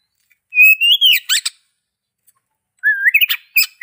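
An Oriental magpie-robin sings two clear phrases, each a slurred rising whistle broken into fast buzzy and scratchy notes, with a short pause between them.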